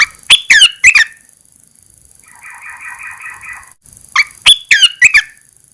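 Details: Red-eyed bulbul in a cage, uncovered for the first time after 14 days of cover therapy, giving quick bursts of sharp, bubbly slurred notes at start and end, with a softer wavering trill in between.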